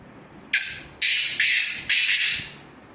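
Black Francolin giving a harsh, grating phrase of four quick rasping notes, high-pitched and evenly spaced about half a second apart, over a quiet background.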